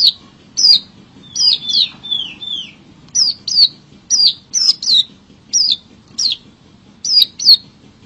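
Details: Lively wild Long-tailed shrike: a string of high, downward-slurred chirps, some doubled, spaced by short pauses of about half a second, above quiet low background noise.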